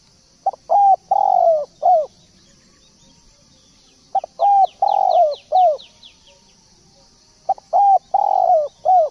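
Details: Spotted dove singing repeatedly, three similar cooing phrases roughly every three seconds, each ending in a long falling burred coo and a curved final note; thin high chirps from other birds run behind the middle phrase.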